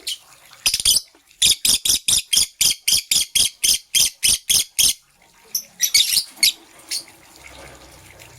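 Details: Morning chirping from green and blue lovebirds: a fast, even run of about fifteen sharp, high chirps at roughly three per second, then a looser burst of scratchy chatter with fainter chirps trailing off.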